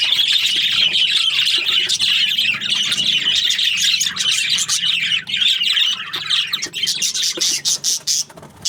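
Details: Group of budgies in the morning giving a loud, unbroken stream of squeaky chirps and warbles, becoming choppier toward the end with sharp, separate clicks and squawks.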